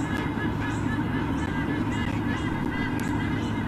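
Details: Nest visit by White-bellied sea eagles in Olympic Park, Sydney, Australia, with rapid nasal squonking notes in a steady run, about two per second, above a constant low mechanical hum.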